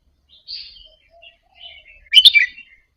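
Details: Red-whiskered bulbul of Indonesian type, a caged bird, singing softly in short warbled phrases, with scattered quiet notes followed by a louder burst of bubbly chirps near the end; the song is played to stimulate other caged birds to sing along.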